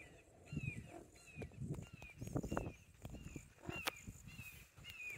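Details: Two red-shouldered hawks duel on a trail in Little Big Econ State Forest, Geneva, Florida: faint, high, downslurred kee-ah calls about once a second, overlapping, over louder footsteps and rustling close by.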